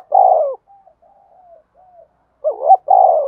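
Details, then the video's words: Spotted dove cooing to call and challenge rivals: a loud burred coo sliding down, a string of very soft faint coos, then a wavering note and another long rough falling coo. "cu gáy thúc đấu & gáy gọi"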